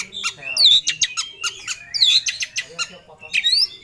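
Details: Agitated kacer, the Oriental magpie-robin, in full ngobra display while hunting for a rival. It gives rapid harsh, scratchy notes that run together with bright rising whistles, which repeat about every one and a half seconds.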